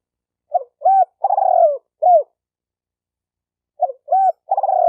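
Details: Spotted dove calling to stir up males and females: two bursts, each of short looping coos around a longer wavering coo, separated by a two-second silence.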